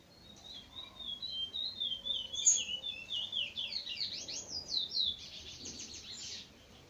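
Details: Chestnut-bellied seed finch singing at dawn: a high, rapid warble of sliding whistled notes that builds into fast swooping trills, with faint background hiss.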